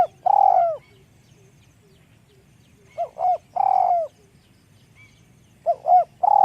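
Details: Light-voiced Spotted dove cooing steadily: the clip opens on a drawn-out falling coo, then two more phrases of two short notes and a long sliding coo, repeated roughly every two and a half seconds over a soft low background hum.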